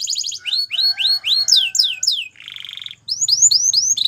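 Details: A male Belgian canary sings a fast run of bright, descending whistled notes, then a buzzy trill and more quick rising-falling phrases.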